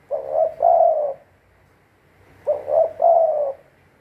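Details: Spotted dove kept as a trapping decoy, cooing two phrases, each a short hoarse coo followed by a longer drawn-out coo, separated by a pause of about a second in a quiet room.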